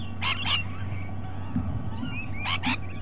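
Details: Rainbow lorikeets at breakfast time, Sydney Olympic Park, Australia: two pairs of short, harsh broadband screeches, one pair early and one late, with faint chattering notes between and a constant low hum.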